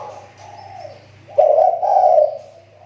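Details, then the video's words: Lure-bird spotted dove, voice coming back after dropping off; one soft coo fades, then a louder, hoarse, drawn-out coo follows, with a low hum behind. "SUARA TEKUKUR PIKAT SI TAKUR,SUDAH MULAI MEMBAIK"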